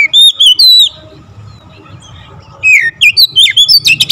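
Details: Oriental magpie-robin in energetic full-variation song, opening with three loud slurred whistles, a quiet gap, then a fast cascade of sharp, bright chirps and rising whistles.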